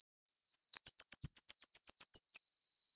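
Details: Plain flowerpecker (Dicaeum concolor uchidai), Taiwan's smallest bird, tending chicks; one high, thin rattle of about twelve rapid ticking notes, evenly paced, ending in a slightly lower note and faint hiss.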